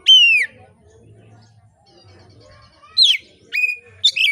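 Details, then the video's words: Oriental magpie-robin in relaxed, open-voiced song, said to stir other magpie-robins to sing: one long descending whistle, then a pause with faint background sounds, then three short whistled notes. "kacer gacor ngeplong santai, sangat cocok memancing kacer lain bunyi dan gacor"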